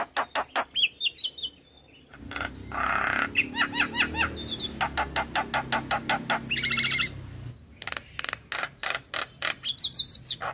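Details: Javan myna in energetic full-phrased song, played daily as a tutor recording for other birds: quick runs of sharp broadband clicks alternate with bursts of upslurred whistles and raspy chatter, with a low hum beneath the middle section.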